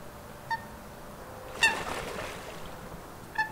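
A duck gives three short, nasal quacks, the middle one harsher, spaced about one and then two seconds apart over a faint steady hiss.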